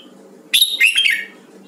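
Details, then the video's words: A red-whiskered bulbul of the Huế variety, being voice-trained, sings a sharp, clear, fluty burst of rapid notes lasting under a second, with a low hum in the background. "Luyện giọng chào mào huế"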